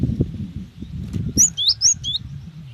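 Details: Female cinereous tit calling a male: a rapid run of four or five thin, high whistled notes, some sliding downward, over a steady low rumble and background noise.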